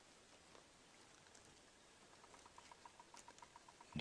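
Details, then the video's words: Bearded woodpecker heard in the background on a morning safari drive at sunrise, 24 August 2016, near a herd with zebras: a faint, evenly spaced run of sharp knocks, about seven a second, over a low background rumble. "you can hear a bearded woodpecker in the background"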